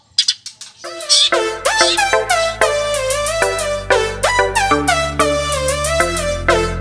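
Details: Electronic music with a strong beat, brass-like horn stabs and rising synth sweeps, no animal voice heard.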